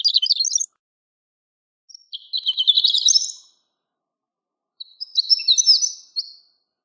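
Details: Horned lark, also called shore lark, singing: high tinkling phrases of rapid jumbled twittering notes, each burst about a second long, separated by short pauses, with no other sounds.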